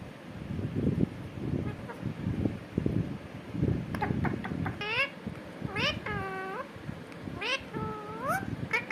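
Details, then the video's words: A parrot talks, saying "katore": after several seconds of low muffled babble, a series of clear, voice-like rising and falling tonal syllables, some drawn out and wavering, over indoor room noise. "Parrot Talking"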